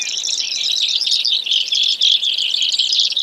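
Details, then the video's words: Brewer's sparrow: a steady stream of fast, high trills and twittering notes, buzzy in texture with small dips in loudness. "Brewers Sparrow Sound, Bird Call"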